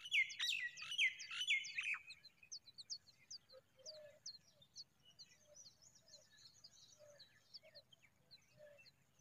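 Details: A mother familiar chat fixing her nest gives a quick burst of bright, high chirping notes at the start, then scattered fainter chirps and a few low soft notes in quiet surroundings.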